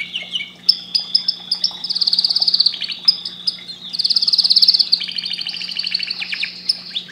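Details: A canary delivers sharp chirps, then two long buzzy trills separated by whistled notes, followed by quicker descending phrases; steady low hum in the background.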